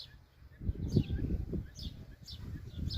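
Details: Blackbird chicks in the wild, calling when hungry or seeking warmth from the mother: thin, high, downward-slurred chirps in short irregular bursts, soft against heavy low rumbling and rustling noise.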